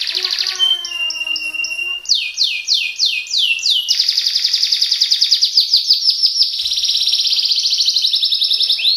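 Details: Canary singing energetically in a fast rolling style: bright high whistled phrases, a run of sweeping notes, then long rapid trills of repeated rising syllables delivered several per second, loud and continuous throughout.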